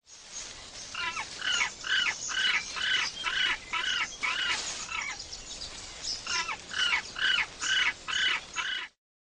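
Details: Penguin calls from males brooding eggs: a long series of evenly spaced nasal, harmonic squawks, a short break, then another quicker run of similar repeated notes.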